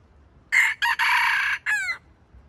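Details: Red junglefowl kept as a decoy to draw wild chickens into a trap crows a short stuttering crow: a harsh opening note, a brief break, a long strained middle, then a falling clipped ending, all within about one and a half seconds.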